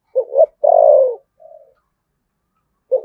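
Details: Spotted dove from Đồng Nai, Vietnam, singing in the thổ sấm voice with thúc gù cooing: a short two-part hoarse coo, then a longer falling drawn-out coo and a soft faint note, with a new coo starting at the end. Otherwise quiet.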